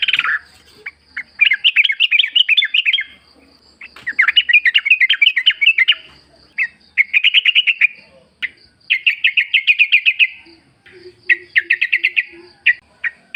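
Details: Wild forest Sooty-headed Bulbul, lure to make caged bulbuls sing back: long series of fast chattering trills in bursts, with a soft low repeated note behind near the end.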